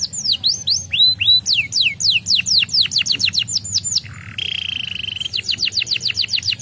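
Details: Young canary stimulated into song, pouring out rapid descending whistled notes, a brief low buzzy note, then a steady even trill and more quick sweeping whistles, with low hum behind.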